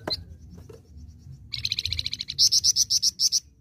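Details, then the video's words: A flowerpecker (Flamboyan), a live bird rather than a recording, sings actively: a fast run of thin, very high ticking notes, then louder, sharp chips repeated about six times a second. "FLAMBOYAN GACOR"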